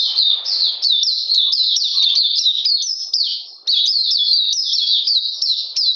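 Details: Oriental magpie-robin singing in captivity in cold wet weather on 13 June 2020, a dense, nearly unbroken chain of high, sharply dropping whistled notes with one short pause midway.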